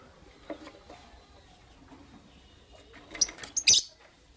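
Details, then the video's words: Morning chirping from lovebirds, a Creamino and a Lutino Opaline: a quiet stretch with faint sounds, then a quick cluster of piercing high chirps near the end. "Lovebird Chirping Sounds"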